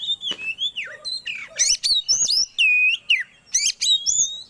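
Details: Magpie-robin song played as a lure to bring birds into breeding condition. Rapid, varied phrases of bright whistles, short upward sweeps and clipped chirps, with a sustained flat whistle near the middle and brief pauses between bursts.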